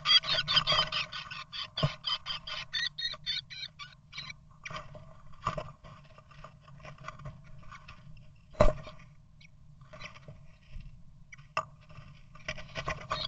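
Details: Eurasian blue tit at its nest, fighting an intruding second blue tit trying to get in, gives a rapid buzzy churring scold that slows and fades over about three seconds, followed by sharp knocks and scuffles over a low hum.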